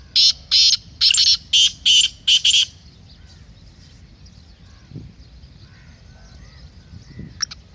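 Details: Black francolin phrase of about seven loud, scratchy, evenly spaced notes over two and a half seconds, then near silence with faint distant chirps.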